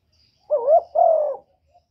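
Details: Spotted dove giving two short, mellow coos, the first wavering and the second steadier and longer, in quiet surroundings.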